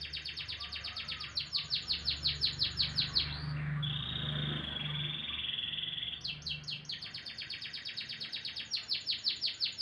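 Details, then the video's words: Morning song of a canary: rapid pulsed trills, then a steady sustained whistle lasting about two seconds before the quick repeated notes resume, with a faint low hum beneath. "kicauan burung kenari"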